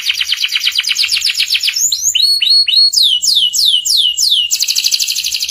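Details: Master song of a canary meant to teach young canaries the ngeriwik sound: a fast high trill, then swooping rising-and-falling whistled notes in quick succession, ending in a dense, buzzy sustained trill.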